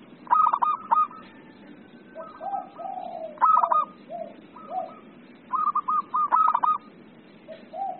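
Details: An 'emosi' (agitated) zebra dove repeats fast, stuttering phrases of rippling coos, each tipped with a brief clear note, about every three seconds. Deeper, slower coos from another dove fall between the phrases, with a low hum behind.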